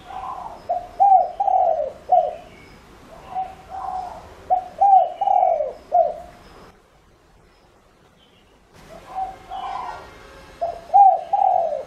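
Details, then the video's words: Repeated cooing phrases from a spotted dove used to entice other doves, several overlapping rounds of curved hoots and long falling coos, a short silence, then cooing resumes. "Cu gáy mồi cây GÁY GỌI cực hay kích bổi nhanh nổi hiệu quả nhất"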